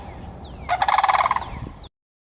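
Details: Sandhill cranes calling in Florida: a loud, rolling, rattling bugle of rapid pulses lasting about one second, rising abruptly from low background hiss and cutting off soon after.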